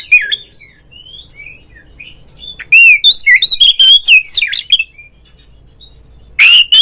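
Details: Oriental magpie-robin singing ngeplong, meant to get other magpie-robins singing: varied whistled phrases, then a fast loud series of sweet slurred notes and harsh chips, a short gap, and a final harsh scratchy note.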